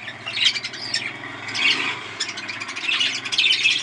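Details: Breeding budgerigars filling the air with dense, high chattering warbles and scratchy squawks that run on without pause, several birds overlapping, over a faint low hum.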